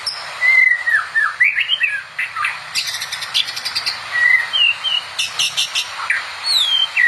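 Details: White-rumped shama (murai batu) singing vigorously for tutoring other shamas: loud slurred whistles, rapid clicking bursts and high upward sweeps mixed in varied phrases over light background hiss.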